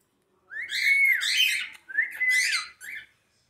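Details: Indoor cockatiel, said to be jealous and interacting with its mother: two loud harsh screeching whistles, each with a rising then falling tone, followed by a shorter chirp.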